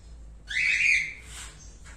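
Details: A rose-ringed (ringneck) parakeet, from a new pair of a turquoise-blue male and an albino female, gives one loud, harsh, slightly rising screech lasting under a second, followed by a softer raspy note.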